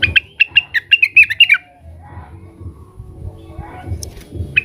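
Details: Blue-winged leafbird (cucak wilis), agitated and calling to rivals, gives a rapid string of bright, varied chirps, followed by quiet low rumbling and one last lone chip.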